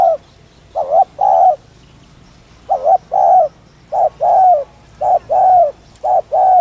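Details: Lure call of a spotted dove (cu đất): six quick coo pairs, a clipped first note and a fuller falling second note, delivered in a fairly steady run about once a second.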